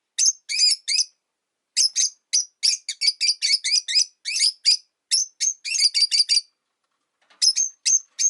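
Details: Pet rosy-faced lovebirds, five in a cage beside a window, noisy even in winter, give a near-continuous run of piercing, buzzy high chirps in rapid groups, with one short silence near the end.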